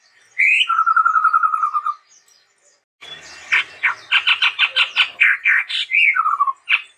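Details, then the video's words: Chestnut-rumped babbler in gacor song: a rising note into a steady rapid trill lasting over a second, a brief pause, then a fast series of harsh chattering notes ending in a falling whistle. "SUARA BURUNG TEPUS TUNGGIR MERAH GACOR YANG UNIK"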